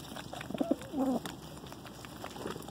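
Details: Pigeons feeding at home give a short, low coo: two quick soft notes, then a longer, gently falling purr, with light clicking around it.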